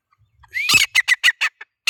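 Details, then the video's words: Grey francolin (teetar) calling: a rising whistled note followed by a quick series of harsh, clipped, repeated syllables, loud and close, with a fresh burst starting at the end. "Teetar ki awaaz/ Teetar ki boli/ Teetar voice/ Teetar sound"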